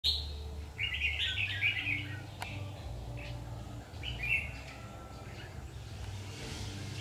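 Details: Red-whiskered bulbul, trapped bird, singing short bright warbled phrases, a dense burst near the start and a shorter phrase later, over steady low rumbling background noise.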